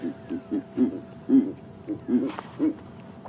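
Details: A pair of Verreaux's eagle-owls at sunrise, about 9 °C, both calling (one thought male) while shaking, trade deep, gruff grunting hoots, about eight short low pulses in uneven rhythm, with faint human voices nearby.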